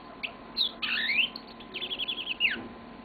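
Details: Caged pet yellow-fronted canary singing: a rising whistled slur, then a fast buzzy trill of repeated notes and a final falling sweep, over a quiet room hum.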